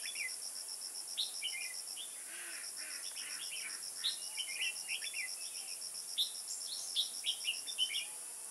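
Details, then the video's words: In Kim Bôi on 21 May 2018, during trapping, red-whiskered bulbuls deliver busy bursts of quick chirped and slurred notes, denser toward the end. Steady insect pulses and high hiss continue underneath. "Bẫy chào mào Kim bôi"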